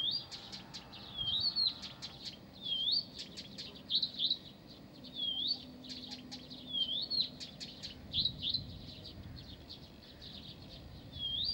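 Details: Blyth's reed warbler singing in Pavlodar: a lively, continuous run of high chirps and buzzy notes, with clear slurred whistles rising and falling that recur about every second or two. A faint low hum lies underneath.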